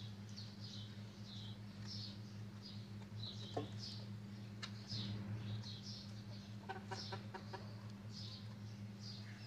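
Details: Chicks on a cloudy morning, giving thin high-pitched peeps in irregular bursts of several notes, fairly faint, over a steady low hum with a few sharp clicks.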